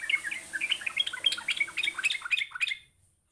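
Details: Sooty-headed bulbul calling to provoke a lazy bulbul into answering; a rapid, bubbly string of short chirping notes tumbling up and down for about two and a half seconds, then stopping abruptly into silence.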